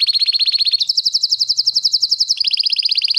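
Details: Canary singing a long roll used for song tutoring: rapid, evenly pulsed high trills, one rattling series shifting abruptly to a higher, smoother roll, then dropping to a slightly lower trill, each note repeated about four times a second or faster.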